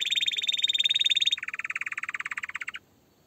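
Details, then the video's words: Canary song: a fast high trill of rapid notes, then a drop to a lower, buzzier rattling trill repeated about four times a second, ending abruptly. "Canary singing"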